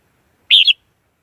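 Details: Red-whiskered bulbul decoy used as a trapping lure, recorded without background noise: one quick, bright, warbled phrase lasting about a quarter of a second.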